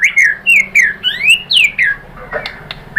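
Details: White-rumped shama (murai batu) singing after a lure recording: clear whistled notes sliding down and up, spaced about four a second, ending in scratchy chatter over faint hum.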